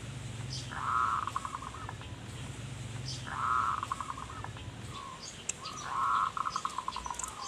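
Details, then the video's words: Zebra dove song meant to attract wild birds: three quieter, slightly buzzy phrases of a drawn-out coo trailing into quick pulses, set in noticeable background noise and low hum. "Perkutut Manggung Gacor Pas Buat Pancingan Burung Hutan"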